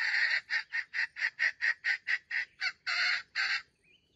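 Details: Trap decoy red junglefowl, an older bait bird with a young-sounding crow. A dozen short hoarse syllables repeat rapidly and evenly, end with two longer grating notes, then a faint thin whistle.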